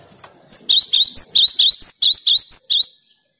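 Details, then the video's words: A cinereous tit singing vigorously to prompt quiet tits, giving a rapid, evenly paced chain of shrill paired notes, each phrase stepping down then up, roughly eleven in a row with faint background hum. "Gelatik batu gacor untuk merangsang gelatik macet agar rajin bunyi"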